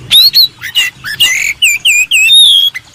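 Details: Contest-training master song of an Oriental magpie-robin: clear whistled phrases, a few harsh squawky notes, then a string of short downslurred whistles ending in a sustained high note.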